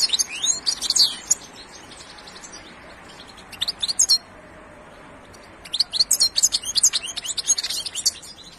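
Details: Song of a European goldfinch: a bright, jangling twitter of high notes, then near silence with a few isolated chips, and a renewed stretch of rapid, tinkling chatter.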